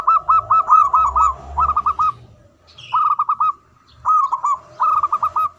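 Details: Loud local zebra dove in manggung song, repeating bursts of four to six rapid, bubbling coo notes at an even pitch, with short gaps between the phrases and faint chirps behind them.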